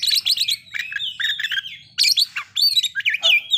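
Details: Caged white-rumped shama song played to stir breeding condition and aggression: dense bursts of high chirps, slurred whistles and harsh squawky notes in quick succession, with short pauses.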